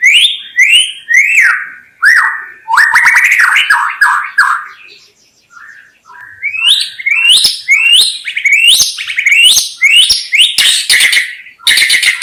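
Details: Song of a white-rumped shama, offered as a lure for trapping the species: a steady flow of rising whistled phrases and quick slurred notes, varied throughout, with one brief lull near the middle.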